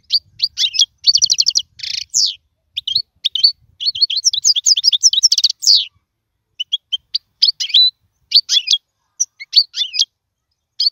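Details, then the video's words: European goldfinch song for training young birds to sing: clusters of rapid trilled twitters and buzzy notes in the first half, then sparser separate chirps and short twittered phrases with gaps between. "اسمع المقنين واعطي رايك فيه,افضل تغريد لتعليم الفراخ"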